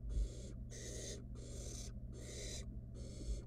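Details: Barn owl nestling, wild, in a nest box after its mother brought food; five rasping hiss bursts, each about half a second, evenly spaced, with a faint low hum beneath.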